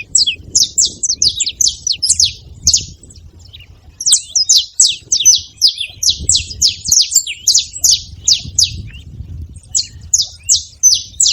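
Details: Saffron finches calling together: quick runs of high, clipped chirps repeated in fast overlapping series, briefly quieter around three seconds before resuming, over faint low-frequency background noise.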